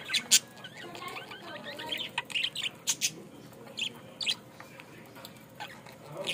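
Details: Budgerigar in Bangladesh calling with sharp, high, clipped chirps and squeaky notes, mostly single or in short bursts about a second apart, with a low steady background hum.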